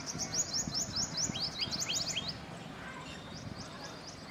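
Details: Common tailorbird at Keoladeo National Park, Bharatpur, Rajasthan, India, giving rapid, sharp, high upslurred notes, several per second, fading after two seconds, over a low background rumble.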